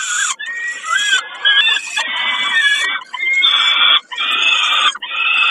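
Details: Harsh wailing of a peregrine falcon at Kawęczyn, recorded 20 May 2022 during a snack: long, strained, buzzy notes repeated about once a second, separated by short gaps.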